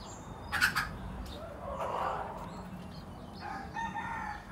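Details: A decoy red junglefowl of a traditional Phatthalung line, Thailand, used for luring wild junglefowl, gives two hoarse, drawn-out crows in mid-range pitch, with brief sharp chirps near the start and steady background rustle.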